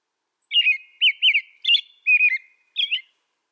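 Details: Six crisp, looping whistled phrases from an American robin, evenly spaced about half a second apart, rising and falling in a cheerful caroling pattern.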